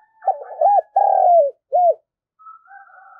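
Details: Spotted dove (Spilopelia chinensis) excited, rousing coo used to provoke and lure wild doves: low, mellow, arched coos in a quick run of phrases.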